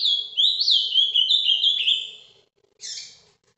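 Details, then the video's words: A caged ultramarine grosbeak sings its Paraná vinte vinte song live, a rapid chain of sweet, slurred whistles rising and falling for two seconds, followed after a gap by a short, harsher high note. "azulão Paraná vinte vinte ao vivo"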